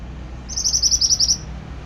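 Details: Energetic pied bushchat song used as a tutor recording: a rapid run of roughly nine high, bright, clipped notes under a second long, with a low rumble beneath.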